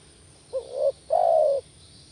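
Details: Spotted dove calling to lure other doves: two-part phrase, a short hooked coo then a longer even coo, soft and low, with steady faint hiss behind.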